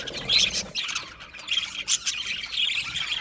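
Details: Aviary budgerigars give bright chirps and twittering warbles, with louder bursts at the start and middle and a softer, steady chatter in between.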